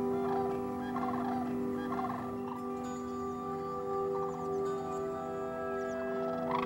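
Sandhill crane giving rolling, rattling bugles in short bursts, with a steady droning hum beneath throughout.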